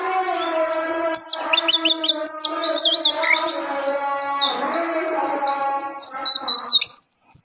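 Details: Orange-headed thrush song: high, quick whistled notes and twisting trills over a steady, humming tonal background.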